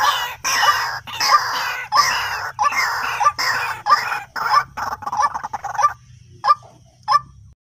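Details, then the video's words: White-breasted waterhen call used as a trapping lure: loud, rough, croaking notes repeated rhythmically and overlapping into a noisy chorus, thinning out to a few single notes at the end, over a low hum. "Suara pikat burung ruak ruak paling jitu"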